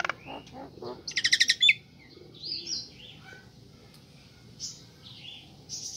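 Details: A female Nias hill myna calls to a male, used as a lure for birds that have stopped singing. It gives a loud burst of harsh, rapidly repeated notes, then scattered clear whistles and squeaky upslurred calls, some ringing high and metallic.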